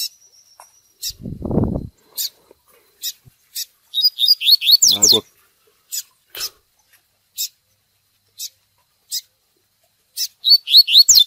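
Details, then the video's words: Fiery double-collared seedeater in "tui tui" training song. Scattered sharp ticks, a low rumbling noise near the start, then rapid down-slurred whistle bursts in the middle and again at the end. "COLEIRO TUI TUI FOGOSO MUITO BOM PARA O MANEJO!!!"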